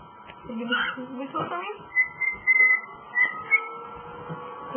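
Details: Pet cockatiel talking and then singing Jingle Bells: a mumbled speech-like phrase followed by several clear whistled notes, indoors with a low hum.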